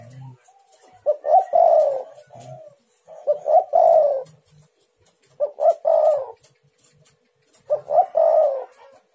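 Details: Spotted dove lure cooing to provoke answers from other doves: four phrases about every two seconds, two brief notes then a longer falling coo each time, with faint low knocks in between.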